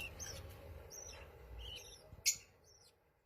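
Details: Lovebird colony: faint, shrill high chirps and short squeaky notes scattered across three seconds, several birds overlapping, with one sharp loud click near the end over a low background rumble.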